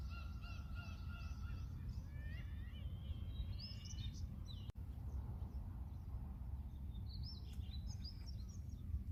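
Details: Gulls at Ganghwa-do port, South Korea, at sunrise give nasal, squealing cries, some rising sharply, in two bursts over a steady deep rumble of wind or engines.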